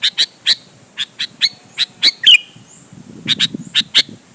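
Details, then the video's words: Sooty-headed bulbul in vigorous song aimed at goading other bulbuls to reply. Crisp chips repeat every few tenths of a second, broken by one twisting whistle, then further chips over low noise. "suara burung KUTILANG GACOR MENEKAN LAWAN 100% ampuh buat pancingan kutilang agar nyaut dan GACOR"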